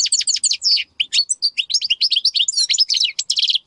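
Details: European goldfinch singing in the Major style, a dense, fast twittering run of high, tinkling, buzzy notes that continues with only brief breaks; nothing else is audible.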